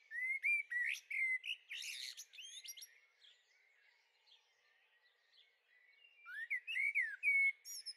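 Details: Young common blackbirds in a Veluwe garden, Netherlands, on 30 April 2014; loud chattering chirps and rising slurs, a quieter spell with faint twitters, then a renewed burst of sharp upslurred notes.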